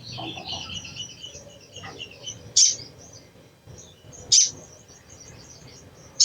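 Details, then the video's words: Sogok ontong, the crimson sunbird, in chattering cecretan mode to coax other sunbirds into song: soft, high twittering at first, then three isolated sharp, piercing chips spaced nearly two seconds apart, against faint background noise. "SOGON | SOGOK ONTONG | SUARA CECRETAN AMPUH MERANGSANG BUNYI SOGON BAHAN"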